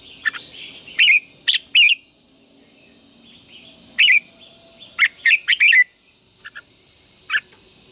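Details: Red-whiskered bulbul singing to stimulate contest birds: groups of loud, quick slurred whistles, three notes, then one, then a fast run of four, with scattered faint chirps and a steady high background hum.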